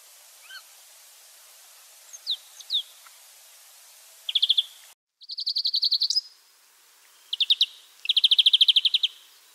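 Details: European greenfinch, a wild bird, heard in a few faint chips, then loud fast buzzing trills at a steady pitch, given in several short bursts.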